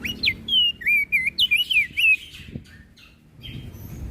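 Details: Crested white-eye from Flores singing energetically to provoke other birds: a quick run of looping, slurred whistles and chirps lasting about two seconds, then faint softer notes over low background noise.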